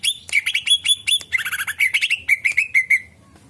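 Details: Greater green leafbird lure song: dense, lively chatter of clear whistled notes and chips, ending in a steady series of repeated ringing whistles before falling silent.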